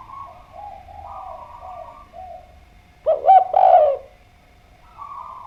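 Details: Spotted dove in full song: after a stretch of faint, steady background cooing, a loud burst of two or three arched, hollow coos lasts about one second, then quiet humming resumes.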